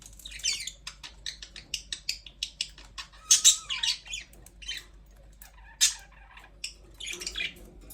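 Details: Budgerigars chirping in a rapid run of short ticking notes mixed with warbled squeaks and one brief falling whistle, above a faint low hum.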